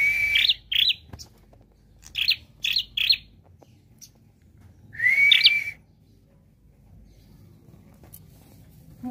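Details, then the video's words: Prinia singing actively with varied notes: short bright chirps near the top of its range in a quick cluster of four, a pause, then one longer rising whistled phrase, over a faint low background hum. "Prenjak Klawu Gacor Variasi Nembak"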